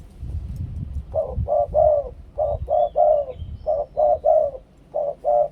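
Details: Cooing song of a Thai spotted dove in the two-kuk 'khu-ang' style: after a quiet start, rhythmic groups of two or three round, low coos follow one another with short gaps.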